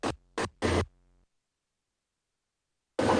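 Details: Three short scratchy bursts, then silence, then a further loud burst, with no animal sound.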